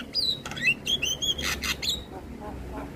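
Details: Black-winged starling singing, recorded to train young starlings: clear whistled notes gliding up and down, then harsh noisy bursts and sharp clicks, over faint low background hum.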